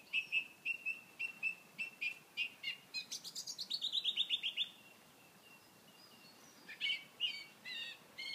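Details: Song thrush in Edinburgh Botanic Gardens, 29 May 2013, singing loud, high phrases: a run of sharp repeated notes speeding into a rapid descending trill, then a pause and fresh bright whistles.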